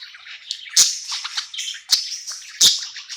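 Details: Budgerigar, happy at night in a new home, giving a soft chattering warble with three sharp, bright chirps spaced about a second apart over a continuous high murmur.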